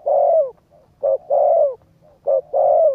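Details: Cooing of a spotted dove, played to stimulate a decoy bird: long, warm, slightly falling coos alternate with brief clipped notes in a close, even rhythm.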